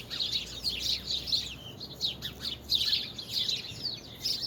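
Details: Several birds singing, recorded 24 February 2020: bursts of thin, high chirps and short trills come every half second or so over a constant low background hum.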